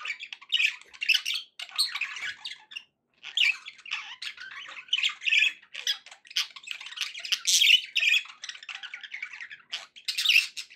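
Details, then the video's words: Pet budgies singing: rapid, scratchy warbling chatter of squawks and chirps in close bursts, one brief silence near the third second, indoors. "budgie sounds to encourage your parrot to eat and sing"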